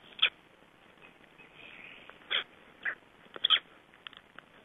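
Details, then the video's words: Black stork chicks near hatching time produce sharp, high squeaks and rasping peeps at uneven intervals, several loud bursts separated by quieter scratchy notes in a calm setting. "Voices of Black Stork chicks shortly before hatching date"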